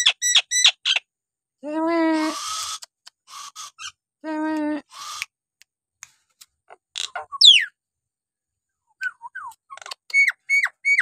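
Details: Nias hill myna singing in a loud, clear sequence: a few sharp ringing whistles, two drawn-out nasal honks, a steep falling whistle, then a run of short upslurred whistles.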